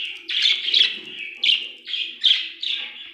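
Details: Cheerful budgerigar chatter, a run of about six loud, rasping chirps and warbles rising and falling, each separated by short dips, with a faint low drone beneath.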